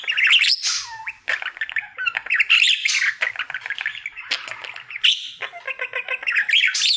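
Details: Male pet budgerigar's daily song: squawking chatter interspersed with long whistled slides and buzzy rattles, delivered in rapid, jumbled bursts with short pauses.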